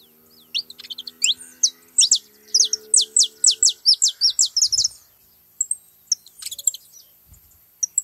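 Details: Flock of saffron finches gathered at a feeding spot. A rapid string of clear, high, downward-sliding notes runs evenly for several seconds, then breaks into scattered chirps. A faint low hum sits underneath.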